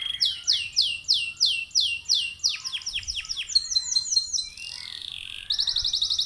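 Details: Singing canary used as a lure to set other canaries singing, with a lavish phrased song: repeated high, sharply falling sweeps delivered in a rapid series, a brief twittering passage, then a fast high trill.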